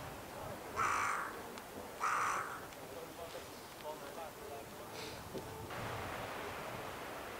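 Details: A carrion crow calls at Scheveningen, Netherlands, on 31 January 2021: two loud, harsh caws about a second apart, then a fainter rasp a few seconds later, over steady outdoor hiss.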